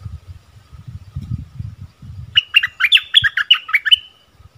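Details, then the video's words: Bulbul, known locally as nok dok taeng or merbah lekir, singing a doubled-phrase song: a rapid burst of clear, bouncing whistled notes after low thumping handling noise. "เสียงต่อนกดอกแตงEp.33เสียงใหม่ล่าสุด เปิดดอกเพลงเบิ้ลน่าฟังSuara merbah lekir"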